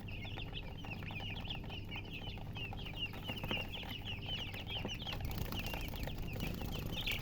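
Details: Newly hatched chicks cheeping loudly, a fast even series of short bright peeps from several babies, rising in intensity toward the end, low hum throughout.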